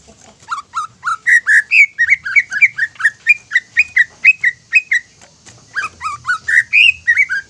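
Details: Kept greater green leafbird singing a bait song that rouses other leafbirds, a long run of rhythmic whistled notes rising and falling, then a brief pause and another burst.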